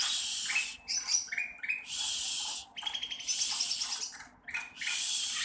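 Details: Sooty-headed bulbul, a young bird still learning its song, giving harsh hissy rasps alternating with short stepped whistles and chattering notes in uneven bursts separated by brief gaps.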